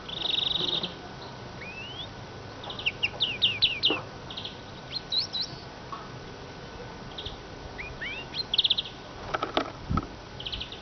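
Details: Warbler calling: short high chirps and rising whistled notes in scattered bursts, some clustered trills, with a few clicks and faint background noise.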